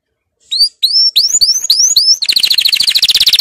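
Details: A canary sings a training phrase of rising slurred whistles repeated five times, followed by a rapid rolling trill.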